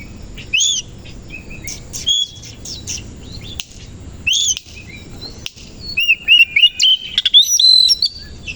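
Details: Oriental magpie-robin of the kacer koci type, singing in the morning while fanning its tail; sharp high notes early on, then a dense run of rapid whistled and trilled notes near the end.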